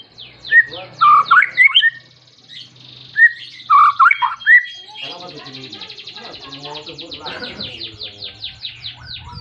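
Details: White-rumped shama singing persistently to call a rival, used to provoke other shamas; loud rich whistled phrases in bursts, then a long quieter run of rapid repeated high notes.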